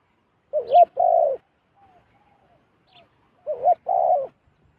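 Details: A wild zebra dove drawn down to a decoy coos twice. Each phrase is a short wavering note followed by a longer, slightly rolling coo, separated by about three seconds of near quiet with faint high chirps.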